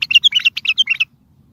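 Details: Strong bulbul singing, played to prompt silent bulbuls to sing, answer distant bulbuls and lure others for trapping: about one second of quick, chattering, warbled notes, each bright and slightly dropping, in a tight burst, then quiet.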